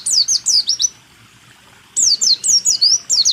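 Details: White-eye song used as training material for caged songbirds, recorded in 2023: two bursts of rapid high, sharply descending whistled notes, about four per second, separated by a one-second pause.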